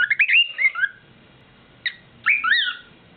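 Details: Pet bird's nightly serenade indoors: clear whistled phrases with rising and falling slurred notes, a quick run of notes, a pause, then a longer looping whistle.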